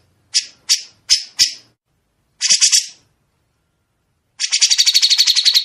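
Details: Grey-cheeked bulbul singing sharp besetan notes, a recording made for other songbirds to learn from: four separate harsh chip-like notes at even spacing, a short rasping burst, silence, then a long fast rattling trill.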